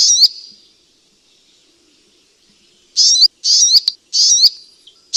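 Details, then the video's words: Sunbird call used to attract birds for catching: a short high buzzy note, a long silence, then a rapid series of four sharp buzzy notes, each ending in an upward flick. No other sounds. "Suara Burung Madu Untuk Pikat"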